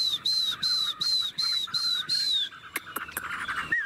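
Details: Caged Chinese hwamei from Tuyên Quang, Vietnam: six clear, high, slightly down-slurred whistles repeated in quick, even succession, then a few sharp clicks and a short low whistle.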